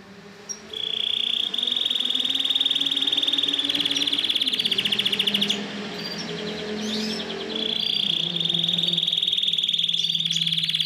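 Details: Yellow Belgian canary, a caged bird, singing at length: long fast trilled rolls held on a steady high pitch, broken by a softer warbling passage before the trill resumes; a low hum runs underneath.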